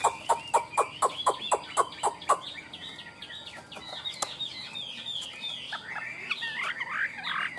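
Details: Tame caged Chinese hwamei: a rapid, even series of sharp clicking notes, about four per second, followed by a jumble of varied twittering and whistled phrases.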